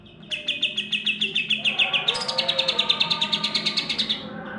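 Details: Greater green leafbird song, rolling 'tembak' style: a steady run of rapid, sharp, high repeated notes, about seven per second, growing louder and more urgent in the second half, with a faint low hum behind.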